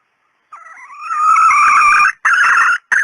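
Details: Female red junglefowl call used to lure birds: a soft opening that builds into a loud, harsh, sustained raspy call, then two shorter clipped bursts.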